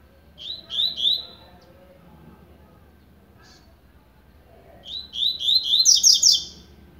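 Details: Double-collared seedeater, blade song style, beginning to warm up: a short burst of three buzzy notes, about three seconds of silence, then a longer phrase rising into high rapid chirps.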